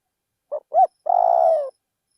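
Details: Spotted dove acting as a decoy in a rice field. It gives one song phrase: two quick notes, the second arched and louder, then a long, steady, vibrating coo that tails off downward.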